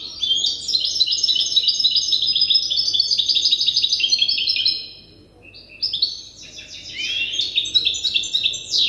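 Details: Young goldfinch hybrid still memorising its song from an older hybrid sings a long, continuous, rapid twittering phrase of high chirps, pauses briefly, then resumes with descending sweeps.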